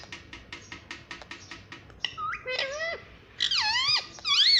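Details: Talkative parrot mimicking family words such as "mummy" and "papa": a run of quick dry clicks, then several squeaky, voice-like swooping phrases that rise and fall sharply, louder toward the end, indoors.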